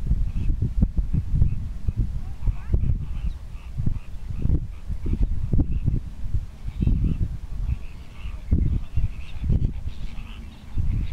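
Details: Greater flamingos displaying give a constant stream of low, gruff honking grunts that overlap irregularly, with a fainter higher chatter above.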